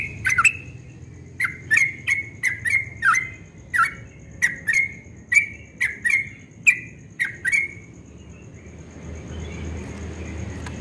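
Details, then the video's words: Yellow-vented bulbul delivering ropel song at dawn: about fourteen sharp, clicking whistled phrases at irregular, quick intervals over seven seconds, then the singing stops, leaving low background rumble and a faint high hum. "Trucukan Ropel Subuh suaranya merdu sekali"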